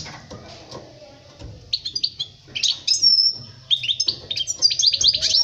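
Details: Goldfinch singing, a recording meant to teach young goldfinches their song; bright chattering trills and liquid twitters start after a quiet opening and grow denser toward the end, over a soft low hum.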